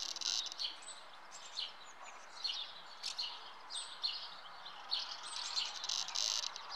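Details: Common house martins (Delichon urbicum) at the nest, a migratory swallow-family bird: bursts of dry, chirping twitters, high-pitched and scratchy, come in clusters through the clip against a steady hiss of background noise.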